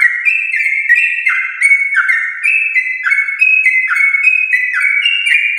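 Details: A Yellow-vented bulbul of champion lineage sings long and rapidly to lure home-kept bulbuls into song: clear, ringing whistles in descending steps, a quick unbroken sequence with thin high overtones.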